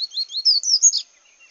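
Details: Double-collared seedeater singing in the bush: a quick run of high, rising whistled slurs that climb in pitch over about one second, then fade into quiet.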